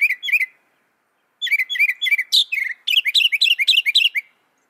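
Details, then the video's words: Northern mockingbird, said to copy up to 200 sounds, strings together quick twittering syllables, pauses, then pours out a varied, jumbled series of repeated chirps and squeaky notes. "Masteran suara burung NORTHERN MOCKINGBIRE bisa merekam 200 suara"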